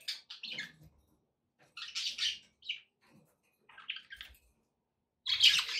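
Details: Domestic budgies chattering in a few separated bursts of raspy, buzzy chirps, ending in a louder burst of scratchy warbling.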